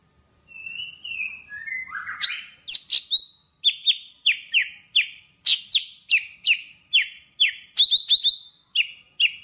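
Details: A Java sparrow calling to its flock opens with soft, thin whistles, then breaks into a quick run of high, bell-like clucking notes, about two or three a second.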